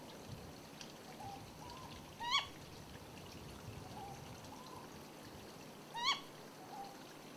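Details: Ryukyu scops owl recorded on Yonaguni, with male and female calls: two loud, sharp, rising single notes with strong overtones about four seconds apart, and faint short low hoots scattered around them.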